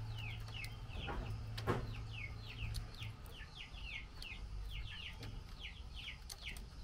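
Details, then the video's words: Calling the male as mealworms are offered, a female Chinese hwamei makes a run of sharp, falling chirps, often paired, continuing steadily; a few knocks and a low hum sound in the background. "Tiểu mi mái chép gọi trống khi cho ăn sâu gạo"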